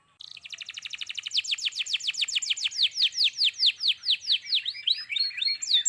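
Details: Canary pouring out song: it opens with a very fast, tight trill that steadily slows into distinct, louder downslurred whistles. It ends with a few varied chirps. A faint steady hum is present.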